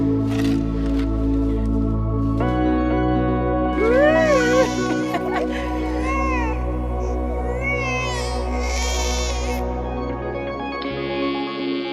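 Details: Sustained ambient music with layered drones, and a child's voice speaking over it partway through; no animal sound is heard.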